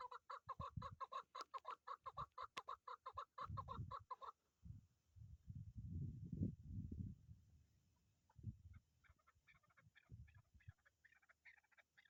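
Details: Hunting decoy chukar partridge calling in a fast run of repeated clucking chuk notes for about four seconds, then falling silent while low rumbling handling noise dominates, with faint scattered chirps near the end.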